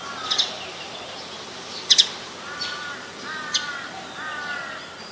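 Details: An adult Common tailorbird in Ubon Ratchathani, Thailand, recorded 29 February 2020, gives sharp, high, piercing chip notes, some doubled, every second or two, over softer nasal, cawing sounds from another bird.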